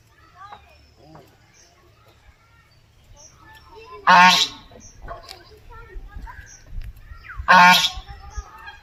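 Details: Village farm duck giving two loud, harsh, nasal quacks about three seconds apart, with faint chatter and soft rustling between them.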